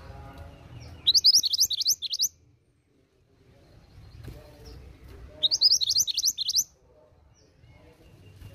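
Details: Female pied bushchat calling to draw a response from males: two bursts of rapid, high, sharp chirps, each lasting about a second, separated by a pause of roughly three seconds, over a faint low rumble.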